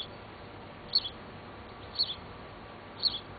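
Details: At Bad Sulza on 26 June 2009, a female house sparrow feeds a freshly fledged youngster; three high, sharp double chirps sound about one second apart over soft steady hiss.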